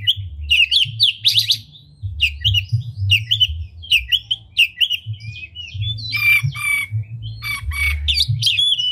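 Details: Oriental magpie-robin lure song: sweet whistled phrases and chattering notes, a long clear whistle and rattling bursts near the end, over continuous low background rumble.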